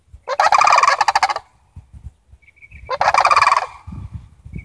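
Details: A family of Sandhill Cranes visiting a yard gives two loud, rolling, rattling bugles, each about a second long, with a pause between, over faint low thumps.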